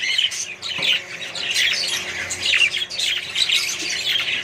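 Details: Australian budgerigars in a colony with more birds, a loud mix of squawks and chirruping warbles forming a constant bright din.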